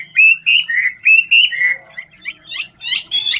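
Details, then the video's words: Chinese hwamei, a 'ngũ trường' singer, singing while dancing: clear whistled slurs repeated rapidly, then rising twittering notes and harsher chattering phrases, with a faint low hum beneath. "Họa mi ngũ trường hót múa cực chất"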